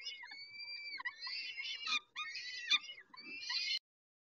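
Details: Peregrine falcons at feeding, Dobra, 11:48, 19 May 2021: a steady thin whine, then choppy rasping screeches and a final drawn-out hoarse squeal before silence.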